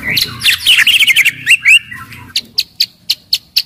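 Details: Loud, aggressive white-rumped shama singing to make other shamas sing and fight: a dense burst of fast chattering notes, then sharp high clicks repeated about every quarter second.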